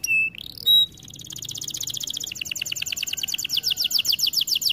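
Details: Training recording of a canary: two short flat whistles, then a long fast trill of tiny repeated notes that grows louder and slightly lower as it continues.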